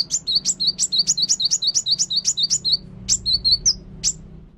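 A bar-winged prinia sings a rapid run of sharp, high chipping notes, about five a second, then a few scattered notes after a brief pause. A faint low hum sits underneath.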